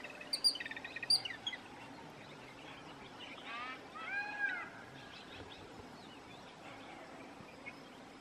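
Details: Harsh, grating squeals from a jungle babbler, two rasping bursts with a wavering, layered texture in the middle. Thin high chirps come first, over a low steady background hum.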